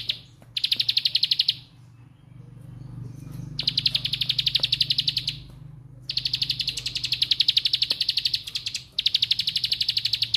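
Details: Bar-winged prinia singing its rapid "bren" style song: dense, buzzy high trills delivered in bursts of one to two seconds, separated by short pauses, with a faint low hum underneath.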